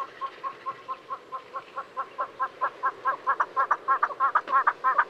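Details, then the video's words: Southern yellow-billed hornbill in Kruger National Park, South Africa, giving a steadily repeated clucking series, about three notes a second, that grows louder and more hurried toward the end, with a faint hiss of background. "Southern Yellow-billed Hornbill (Tockus leucomelas) Bird Call"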